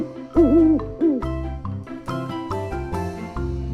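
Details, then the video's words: Owl giving two low, wavering hoots in quick succession, followed by bouncy background music. "This is owl."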